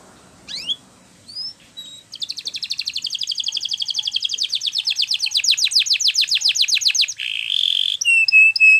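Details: Canary song played for training: a few scattered soft chirps, then a long, fast trill of rising notes that gradually loudens, ending with a steady buzz and high whistled notes.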